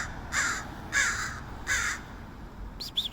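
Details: Crow in San Francisco giving strange noises: three harsh, broad caws about 0.7 seconds apart, then two short rising squeaky notes at the end.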